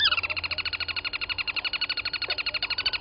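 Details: Crested barbet at Gowrie dam waterhole, Djuma Game Reserve, Sabi Sand, South Africa, 07:34 on 23 August 2020, from a fixed live camera: a sustained rapid buzzy trill of evenly pulsed notes, about ten per second, throughout.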